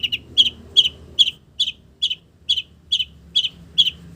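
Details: Long-tailed shrike song built from imitated village bird notes: a clear, high double note repeated steadily about every half second, nine or ten times, over quiet low background noise.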